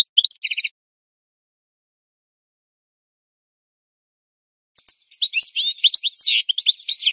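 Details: Singing goldfinch on a bird-training recording: a brief twittering phrase with a buzzy trill, a long silence of about four seconds, then a renewed run of rapid, high chirps and liquid twitters.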